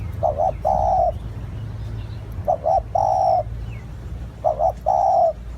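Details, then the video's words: Three repeated cooing phrases from a spotted dove used as a lure, each a brisk double note and a long flat coo, spaced about two seconds apart. "Tiếng chim cu gáy gọi hay / เสียงต่อนกเขาได้ผล100%"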